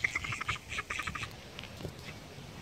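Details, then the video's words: Quiet, rapid series of nasal quacks from flying call ducks during the first second, fading into soft background noise. "Flying call ducks"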